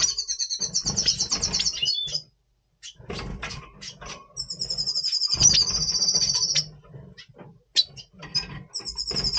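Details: November 2023 recording of a Double Pastell red siskin in breeding condition: repeated long, high, rattling trills of rapid notes, broken by short pauses and chirps, with faint low rumble beneath.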